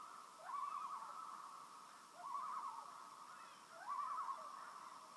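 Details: On a calm Maine lake, loons give three quavering tremolo calls, each a fast trembling run of notes opening with a short rising slide, spaced about one and a half seconds apart over faint steady background hiss.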